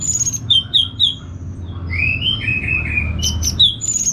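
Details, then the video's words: Orange-headed thrush, a caged bird in northern Bali, answers a played recording with sharp high chirps, then a run of clear descending whistled notes, and ends in more high chirps. A faint low hum runs throughout. "ANIS MERAH Langsung Gacor Nyaut Joss"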